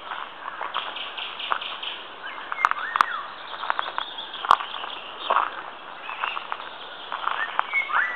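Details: Three Eurasian golden orioles whistle briefly in aspen treetops just after sunrise at Midsummer at Siikalahti, Parikkala, Finland: short, fluty, mellow phrases rising and falling, amid a busy chorus of other birds and a few sharp knocks.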